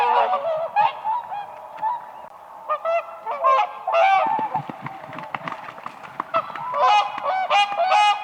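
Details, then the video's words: Whooper swans dancing on spring lake ice trumpet in a noisy group, with short nasal honks overlapping irregularly and occasional higher, harsher notes rising above the flock. "WHOOPER SWAN birds dancing on ice"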